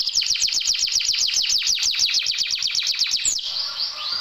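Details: Canary isian, played to get lazy canaries singing: rhythmic descending chirps repeated about six times a second for three seconds, then a short pause and a softer, thin note.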